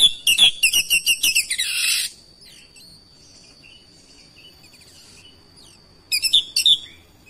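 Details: Vigorous gacor song of an oriental magpie-robin, or kacer, reacting to another kacer and pouring out its isian: a fast string of sharp repeated chips running into a harsh buzz, a long pause, then a final trill of whistles.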